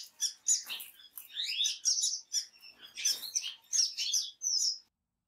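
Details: Orange-cheeked waxbill (Estrilda melpoda), call.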